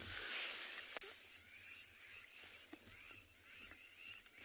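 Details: A distant flying flock of Crowned Lapwings on a winter morning safari in a South African game reserve gives rapid, overlapping shrill, strident alarm notes, sending nearby meerkats bolting; steady background hiss.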